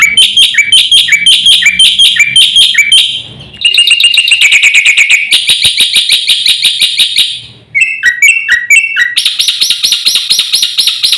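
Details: Javan white starling, a master recording used to provoke other birds into singing: loud, rapid repeated sharp whistled notes with harmonics, changing into several phrase types, with brief pauses between series.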